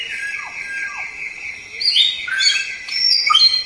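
White-rumped shama giving rich, varied whistled phrases with quick high flourishes and a few low downslurred notes, over a steady high insect-like drone.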